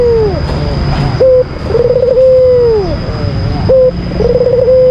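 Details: Lure calling by an albino white Barbary dove meant to stir up rival birds: a short coo, a fluttering trill merging into a sustained coo ending in a downward slide, repeated twice, over a constant faint whine.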